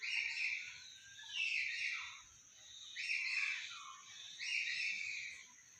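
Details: Common hill myna in a garden gives loud, ringing whistled phrases, each about a second long and falling at the end, repeated three times at roughly one-and-a-half-second intervals.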